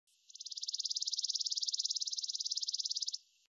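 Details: A chipping sparrow gives a dry, mechanical, high-pitched trill of about fourteen quick, even chips per second, lasting close to three seconds, over a faint steady hiss.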